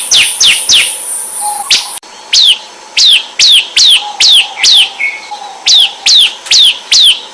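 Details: Bar-winged prinia singing ombyakan style as a lure for other songbirds: a high continuous whine with quick chips at first, then loud piercing downward-slurred notes about two per second, with a brief low note between.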